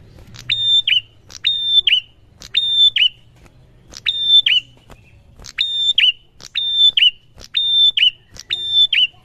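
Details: A prinia, used as a lure call that other prinias answer at once, repeats short, high, bright phrases about once a second, each a quick chipping burst ending in a sharp whistled note, over a faint low hum.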